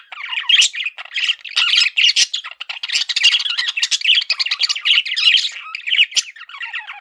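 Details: Continuous busy warbling from a male budgerigar, pet bird, with scratchy chatter, squeaks and nasal buzzes running together almost without pause.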